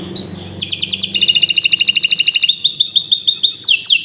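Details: Canary singing a long training song for other birds: a rising whistle slides into a fast, rich rolling trill, then a thinner rapid series of high clipped notes, all continuous, over a faint low hum.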